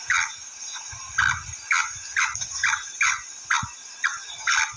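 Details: Black female francolin calls: brisk, raspy notes dropping slightly in pitch, about ten in under five seconds, with a persistent high whine and scattered low thuds.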